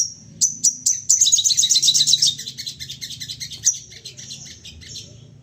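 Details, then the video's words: Crested jay, excited and calling in rapid bursts, used as a lure to prompt other birds to call: a few separate high chips, then a dense, fast, harsh chattering rattle, fading into softer scattered notes. Low hum underneath. "Sogon emosi nembak bertubi - tubi cocok buat pancingan bunyi dan naikan emosi"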